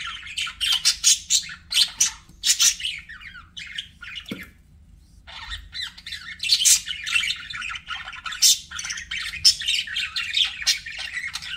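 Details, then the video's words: Pet budgies give dense, rapid chatter of squeaky chirps and harsh little squawks; after a short lull near the middle, one low click, then the chattering warble resumes and continues steadily. "BUDGIE SOUNDS"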